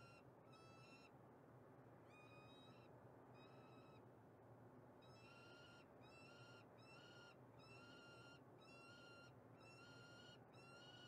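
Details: Female peregrine falcon in Montreal, Canada, giving a long series of harsh, harmonic, slightly rising wailing notes, each about half a second, in quick bursts with short gaps, over a steady low city rumble.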